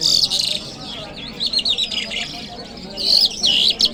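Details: Lark song in Kabul on a Friday morning: a steady stream of high wavering whistled notes, rising and dipping quickly, ending in sharper chirps.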